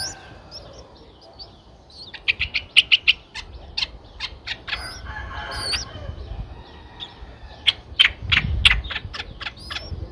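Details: Streak-eared Bulbul nestlings nine days old, Ubon Ratchathani, Thailand, 11 April 2023: several short runs of fast, dry chips between quieter stretches, with thin whistled notes from other birds and low rustling behind.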